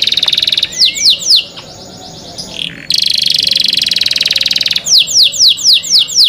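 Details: Canary singing cenkok-style, a clear canary song: series of descending whistled sweeps, a brief pause, a long rapid buzzy trill, then more fast repeated downward sweeps.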